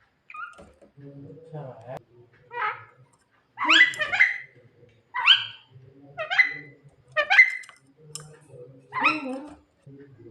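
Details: Javan myna at night, calling its mate: a series of loud harsh chattering bursts roughly every second, mixed with softer low murmuring sounds.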